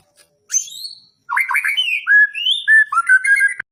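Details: Caged magpie-robin at a singing contest pole delivering varied material: a high whistled sweep, then quick warbled notes, clear rising whistles and repeated slurred phrases ending abruptly.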